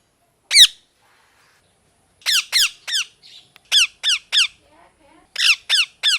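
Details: Pet parrot, molting and missing feathers, calling indoors in a small room: loud harsh descending squawks, single then in bursts of two to four, with quiet pauses between groups.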